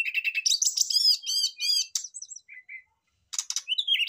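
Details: Brown-chested jungle flycatcher sings a fast, varied song of bright whistled and chattering notes, then pauses briefly before another burst, answering back and forth in a lively exchange.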